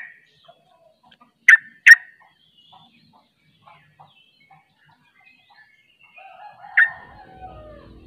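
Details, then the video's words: Trucuk, the sooty-headed bulbul, singing 'ropel' style: two sharp notes in quick succession, soft chips, then one more loud note, with low noise toward the end. "Ropelanya Bikin KAGET Trucuk Lain Ikut Ropel"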